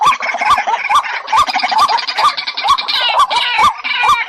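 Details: White-breasted waterhen lure recording compiled for trapping birds: loud, dense repeated calls, a rising clucking note about twice a second over layered harsh chattering, several voices overlapping throughout.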